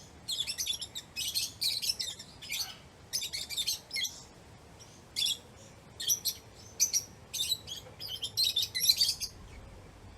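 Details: Lovebirds chattering while playing, eating or excited: dense, harsh, high-pitched chirps in irregular bursts, some long and scratchy, others short and clipped, continuing throughout against a faint low hum.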